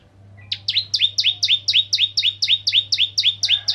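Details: Bar-winged prinia, 'ciblek kristal' type, singing to provoke other prinias: a very regular series of about fourteen doubled, bright, down-slurred notes, roughly four per second, over a low hum.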